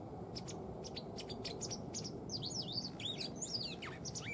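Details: Tame white wagtail that has stopped its courtship display and shows no breeding this spring. Clicky high notes lead into fast, wavering twittering phrases that rise and fall, continuing to the end over low background rumble.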